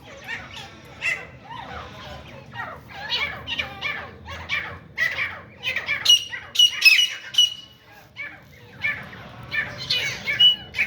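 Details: Grey francolin, known locally as teeter or grey partridge, during a fight: a dense, busy jumble of harsh squawks and chatters with a few piercing whistled notes, over a low rumbling background.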